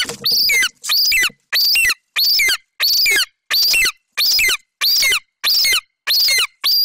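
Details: Golden eagle chick, a young male at a nest in Bucovina, 27 July 2021, calling while standing over a hare his mother brought in: a steady series of high, thin squealing calls, each slurring down, about two a second.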